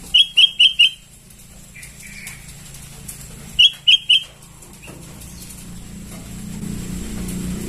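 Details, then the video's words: Calling sooty-headed bulbul chicks, played as a lure: a quick burst of four sharp, high chirps, then a softer note, and later a second burst of three, over steady low background hum. "Suara pancingan anakan burung kutilang memanggil"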